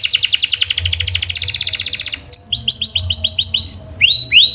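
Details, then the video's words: Canary giving a fast throbbing roll, then a run of bright rising whistled notes repeated several times a second, with a short pause near the end before more rising notes. "Canary Singing"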